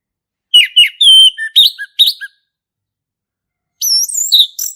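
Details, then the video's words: Male orange-headed thrush, recorded in its native forest, singing in ngeplong style: quick whistled and sliding notes in a burst, a pause of over a second, then a high, twittering phrase. "SUARA ASLI HUTAN ANIS MERAH JANTAN GACOR NGEPLONG"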